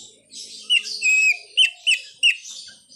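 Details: Greater green leafbird singing a song packed with imitated phrases, including a car horn imitation. Clean, loud whistled notes sweep down, then come three sharp, bright upslurred chirps in quick succession against a quiet background.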